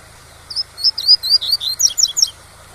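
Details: Double-collared seedeater tui-tui song meant to tutor young birds: a brisk two-second sequence of sharp, high chirps and quick upslurs, with a gentle rushing waterfall in the background.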